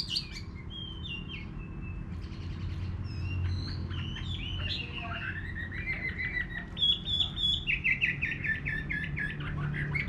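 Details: Countryside garden with a Chinese hwamei singing: a long run of varied whistles and short sharp notes, some sliding downward, growing louder toward the end, with a constant low-pitched background noise.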